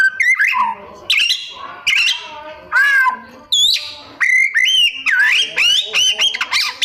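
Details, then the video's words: White-rumped shama singing a varied mimicking song: loud phrases repeated about once a second, mixing sharp rising whistles, harsh squawky notes and rapid chirps, with clicking sounds between phrases. "Cara Jitu Membuat Suara Kacer Gacor Rajin Bongkar Isian - 99% Burung Kacer Isian Mewah"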